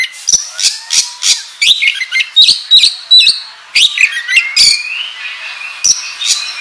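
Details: Oriental magpie-robin, a kacer in gacor ngobra style used as a lure to draw out other kacer birds. Loud, varied song with sharp clicks, slurred whistles and rising sweeps, delivered in rapid bursts without pause.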